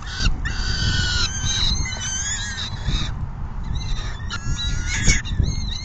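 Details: Peregrine falcons feeding at the nest on June 10, 2022, around 4 PM; hoarse harmonic calls with sliding pitch come in uneven bursts, easing toward the end, over low background noise.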